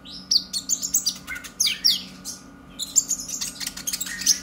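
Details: Purple-throated sunbird, a young bird still learning its song, twittering eagerly. Quick clusters of sharp high chips and buzzy slurs are broken by a short quiet gap midway. A low hum runs throughout.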